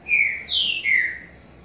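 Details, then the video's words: Green-winged saltator (trinca-ferro) of the Paraguayan type sings a short phrase of three clear whistled notes: a level note, then a higher slurred note, then a falling one, in under one and a half seconds over a quiet background. "Trinca Ferro Paraguai Bom."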